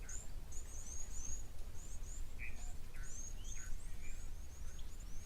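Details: Several blue waxbills (Uraeginthus angolensis) in thickets close to the camera at an African waterhole give thin, very high-pitched tseep calls, several each second, over a steady low rumble.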